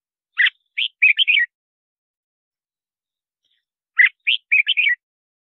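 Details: Red-whiskered bulbul repeating nearly the same short song phrase twice, about three and a half seconds apart, each a sharp note followed by quick chirpy whistles; played to lure wild birds and train singing.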